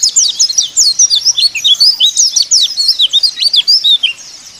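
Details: Loud, high white-eye song used to prompt caged white-eyes to sing: a fast run of bright, swooping whistled notes packed tightly together for about four seconds.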